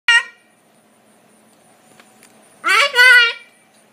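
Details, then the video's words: A pet cockatoo greeting neighbours gives one short, harsh squawk, then after a pause a louder, voice-like two-part "hi" that rises and falls, over a faint outdoor hum. "the cockatoo telling the people on the block hi"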